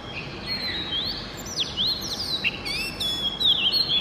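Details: In the early morning an Oriental magpie-robin gives fast, musical song: sharp upslurred and downslurred whistles mixed with high squeaky notes, delivered in quick succession with little pause, over a light background hiss.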